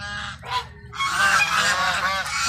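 A flock of geese honking loudly over one another, harsh nasal blasts overlapping in a continuous noisy commotion.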